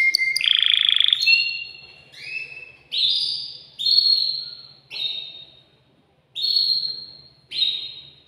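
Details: Male canary singing to rouse a female for mating: a short buzzy roll, then a series of separate clear whistled notes, each swelling and fading, spaced about one second apart with a low hum underneath.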